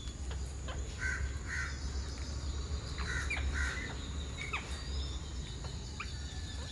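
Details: Alexandrine parakeet, also called Ceylon large parakeet, a resident bird in Sri Lanka: harsh, grating screeches in paired bursts near the start and middle, with a few shorter squawks later, over a steady low rumble.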